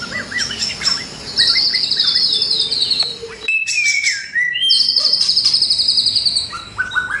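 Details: Singing White-rumped shama used to train birds in the morning, its song full of fills. Long rapid high trills frame a clear falling whistle, and short rising whistled phrases open and close the sequence.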